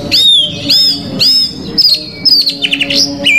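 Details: Oriental magpie-robin (kacer) opening its song repertoire, 'bongkar isian', meant to provoke rival kacer: three strong upslurred whistles about half a second apart, then a buzzy, rapid run of chattering notes and a final slurred whistle.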